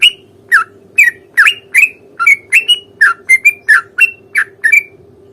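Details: Sooty-headed bulbul in fighting song meant to provoke another bird to answer, giving a quick series of bright slurred chirps, some rising and some falling, about two per second above a constant low electrical hum.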